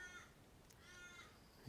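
An Australian Raven gives two drawn-out, nasal caws about a second apart, harsh and harmonic-rich, over a faint indoor room hum.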